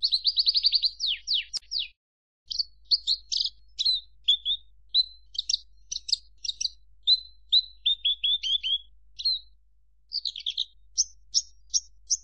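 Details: Song of a Javan bush lark: a fast run of descending chirps, then a long series of short sharp high notes and clipped whistles, spaced irregularly, with a brief silent gap early on.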